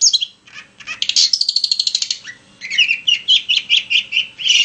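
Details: Long-tailed shrike song played to trigger singing in other shrikes: a fast dry rattle sliding into a thin whistle, then a run of warbled, chirping phrases.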